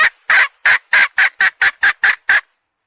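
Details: Chicken hen making a string of nine or ten loud, raspy clucks, evenly paced and slightly shortening, then falling silent.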